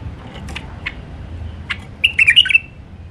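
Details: Alwazi-style song of a wild White-eared bulbul. A few soft, scattered clicks come first, then a short, loud, gurgling phrase of slurred whistles near the end.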